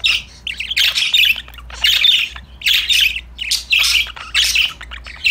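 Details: Pet budgerigars playing and chirping together: busy bursts of harsh, buzzy squawks and high chirps, about one burst a second, with a low hum underneath.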